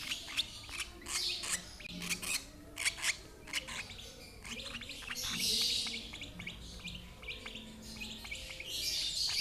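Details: Lovebird receiving food from an older sibling sharing the same parents; quick piercing chirps cluster early, then softer rapid ticks with hissy rustling bursts and a faint low hum.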